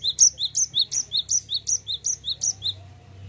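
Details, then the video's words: Cinereous tit in continuous rolling song, a steady run of about ten bright two-note phrases, low note then high, repeated roughly three times a second before fading out. "GELATIK BATU GACOR NGEROL"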